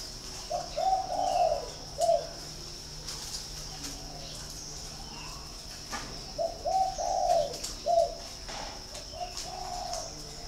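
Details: Captive spotted dove at a breeding farm in Ba Vì, Hanoi, Vietnam, cooing twice about five seconds apart. Each phrase opens with brief soft notes, swells into a drawn-out throaty coo, and ends with a clipped note; faint high hiss throughout.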